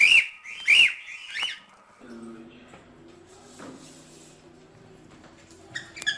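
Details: Cockatiel giving three sharp, whistled, arched notes in quick succession at the start, followed by near quiet with a low hum, and a short bright chirp at the end.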